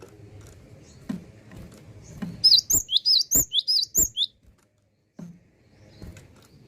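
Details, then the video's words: Gelatik batu (cinereous tit) in vigorous song: roughly nine quick, high, wavy whistled notes over about two seconds, set against low background rumble and a few knocks. "BURUNG KICAU KLASIK..GELATIK BATU YANG SUDAH GACOR"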